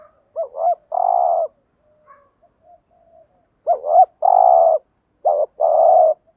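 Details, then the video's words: Spotted dove cooing, used as a lure to attract wild doves: two phrases, each a short rising double note followed by a long, steady, low hollow coo, separated by a quiet gap of about two seconds. "Tiếng Cu Gáy Giọng Hạp BổI ĐỦ BÀI ( GÁY GỌI,THÚC,GÙ ) Kích Bổi Nhanh Nổi"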